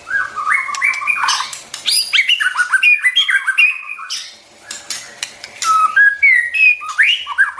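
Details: White-rumped shama song, used to train young birds and stimulate wild-caught birds: a rich run of varied whistled phrases, rising slurs and quick warbles, loud and continuous with a brief pause near five seconds.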